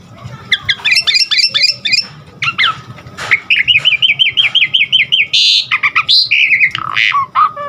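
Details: Jalak suren song for training caged birds, with quick chirps, a rapid trilled series of wavering notes and harsh squawky bursts.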